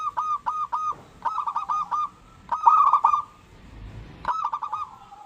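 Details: Local zebra dove singing, used to provoke other doves to sing: short groups of three to six rapid clipped coos separated by pauses, one louder rolling burst in the middle.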